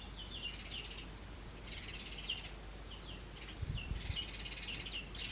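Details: Two house sparrow chicks being fed by their parents in a man-made clay pot nest: bursts of high, scratchy chirping in quick clusters, pausing briefly between groups, over a steady low background hum.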